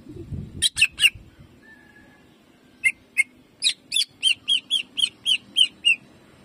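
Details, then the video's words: Greater green leafbird (cucak ijo) in jamtrok style with 'shooting' phrases, used as tutor song to rouse other birds: a few harsh chirps, a thin pause, then about ten clear whistled notes repeated quickly on one pitch. "CUCAK IJO GACOR JAMTROK TEMBAKANYA BIKIN PANAS"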